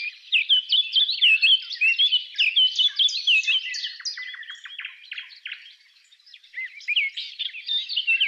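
A Eurasian Blackcap sings a fast, rich warble of mixed scratchy and clear fluty notes in quick bursts, pausing briefly before starting again.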